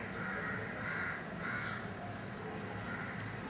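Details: Indian golden oriole at a window, reacting to its reflection and recorded from behind the glass: three or four rasping, nasal calls in quick succession, about half a second apart, over a low steady hum.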